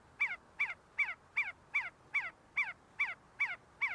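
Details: See-see partridges, a flock feeding and fighting on the University of Sulaimani grounds, Kurdistan: ten evenly spaced, sharp notes, each slurring downward, repeated about every 0.4 seconds against a quiet background.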